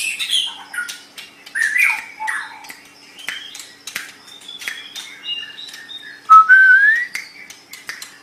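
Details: Song of a white-rumped shama (murai batu) used to train pet songbirds: scattered warbled notes and clicks, then a pure whistle rising smoothly near the end, over a faint hum.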